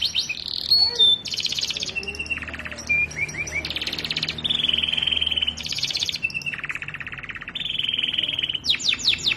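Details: Long-duration canary master song, Indonesian training recording of an already fluent singer: sustained buzzy rolls and rattling trills alternating between high and lower pitches, broken by brief whistles and rapid sweeping chirps at the end.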